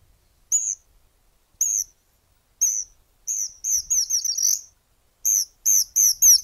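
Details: In Argentina, a Variegated Flycatcher gives very high, thin squeaky notes, first spaced about a second apart, then speeding into a quick run of sharp, slurred squeaks.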